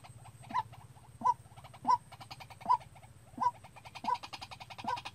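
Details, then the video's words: Decoy white-breasted waterhen being trained to call for bird trapping gives seven clipped, slightly rising notes spaced under a second apart, set against a fast rattling, pulsing chatter and a low background hum. "Tập quốc mồi tự chơi-Tiếng quốc đi bẫy"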